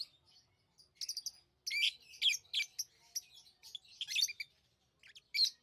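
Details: Tame lovebirds chatter in quick, shrill chirps that run together into busy bursts, high and squeaky, with short silences between.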